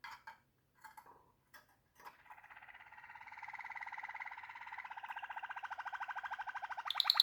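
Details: Waterslager canary singing a low, rolling tour: a few short scattered notes, then a fast pulsed trill centred low that swells steadily louder over five seconds and ends in brighter higher notes.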